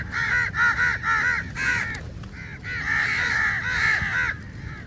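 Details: Crows in a large flock descending on food at feeding time: quick runs of loud, grating caws, several birds overlapping in a busy, almost unbroken chatter over faint low noise.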